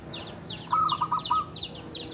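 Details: Zebra dove from Java, wild-origin and kept for seven years, in active song. One brisk series of about six bubbling, evenly spaced coos sits over a steady background of repeated high-pitched chirping from other birds.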